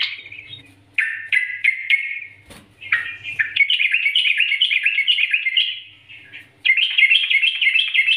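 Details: Prolific yellow-vented bulbul singing 'nggaruda'-style master song for lure training: sharp descending chirps, a click, then an extended undulating warble that pauses and returns loudly.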